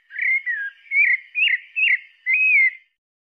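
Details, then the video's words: Singing pale-breasted thrush delivering five mellow whistled phrases, the first sliding downward, the middle ones short and twisting, the last a longer level whistle, then silence. "Sabiá Parda cantando"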